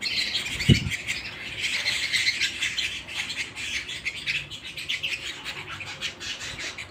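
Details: Home canary singing a rich, rapid flow of high trills and chirps, with a brief dull thump near the start, fading slightly toward the end.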